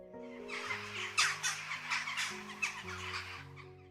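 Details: Western jackdaw (Coloeus monedula) giving its common call in the UK: short, sharp, scratchy 'chak' calls, about five in quick succession, over soft background music.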